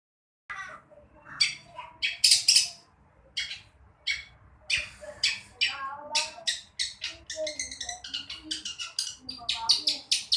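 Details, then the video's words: Long-tailed shrike, a young bird learning to sing, giving an irregular run of harsh, buzzy, broadband rasps mixed with shorter chattering notes, some louder bursts among softer ones, with a faint low hum behind. "Si Cendet Lagi Belajar Berani Bersuara"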